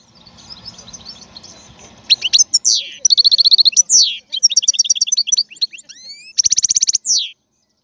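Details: After two seconds of low rumbling background noise, a European goldfinch bursts into loud, high song. It has rapid repeated chirp series, descending slurred whistles and tinkling trills, with brief gaps between phrases.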